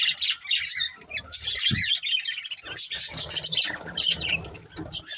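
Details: Pet budgerigars keep up a continuous high chattering of chirps, squeaks and buzzy warbles, many birds overlapping, with low thumping and rumble underneath.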